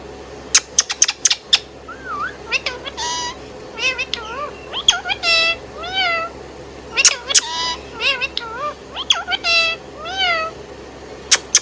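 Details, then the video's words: Indian ringneck parakeet kept as a pet, whistling and chirping. Rapid bright clicks and chirps alternate with looping, warbling harmonic notes, some rising and falling, delivered in lively irregular runs. "Indian Ringneck Parrot Singing Whistling and Chirping Sound"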